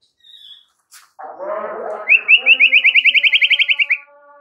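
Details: White-rumped shama (murai batu) masteran recording: a burst of rough, noisy chatter, then a rapid even trill of about eighteen bright repeated notes that slowly drops in pitch before stopping.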